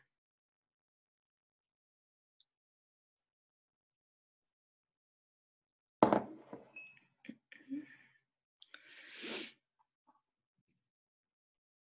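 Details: Mostly silence, then a cluster of knocks, clinks and a sharp breathy burst from an indoor space, with no animal voice.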